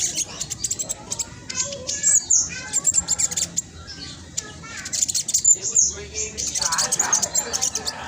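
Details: A spotted black sunbird singing energetically as a lure for birds that are lazy to sing: quick, high, thin chattering notes run together in rapid strings, rising and falling in loudness.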